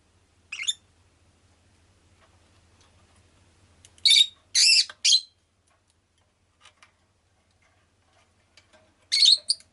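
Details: Rosy-faced lovebird chirping: three short, shrill, harsh bursts at wide intervals, the middle pair close together, with quiet gaps and a faint low hum beneath; street noise such as engines and bicycles is part of the recording.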